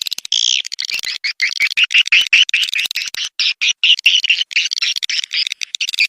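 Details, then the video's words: Lidah Api style swiftlet calling sound meant to attract swiftlets: shrill, choppy twittering with short rising notes, broken into rapid stuttering bursts. "Suara panggil burung walet"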